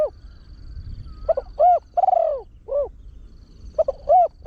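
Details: Trained Spotted Dove, big voice, crowing rapidly in the 'khan yon one kuk' style as a lure for wild birds: a full cooing phrase of stuttered notes, long hoarse coo and end hoot, with the next phrase starting soon after.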